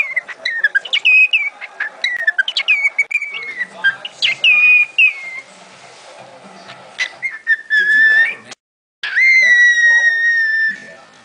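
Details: A male pet cockatiel dancing whistles and chatters in clear, bright tones, imitating the human phrase "Do the funky chicken! Chicken!"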